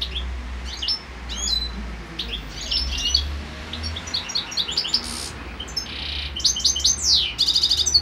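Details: European goldfinches in breeding condition, mating on a balcony: a fast, tinkling run of high twittering notes and liquid trills, with a low hum underneath.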